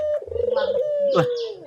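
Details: Cinnamon-headed green pigeon singing actively: a sustained, slightly descending whistle with a fluttering, tremolo middle and a brief sharp accent near the end, over a low background hum.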